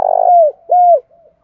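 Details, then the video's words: Vietnamese lure spotted dove, thúc gù cooing: a long throbbing, buzzy coo that turns smooth and sinks, followed by a clear arched coo and a faint trailing murmur. "nghe cu gáy gáy mỗi ngày"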